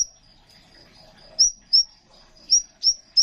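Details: ['Crimson sunbird, a male in full song, used as a training recording to coax young or silent songbirds into singing. A few short, sharp, high chirps arrive at irregular intervals over a thin, steady high whine.']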